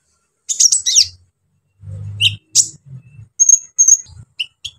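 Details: Brown-throated sunbird singing energetically with rough fill-in notes meant to provoke other sunbirds: sharp high chirps and quick downward-sliding notes, then a few thin pure whistles, over a low steady hum.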